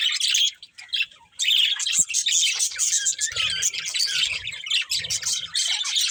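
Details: Pet budgerigars playing: bursts of scratchy chirping, a short quiet dip near one second, then sustained, dense warbling chatter mixed with occasional squawky notes and faint low thuds.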